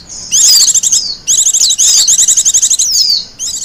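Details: Song of a wild Japanese white-eye, suited for luring and song-tutoring: fast high-pitched warbling runs of repeated chirping notes ending in thin falling whistles, two long bursts with a brief gap, clean with no background sounds.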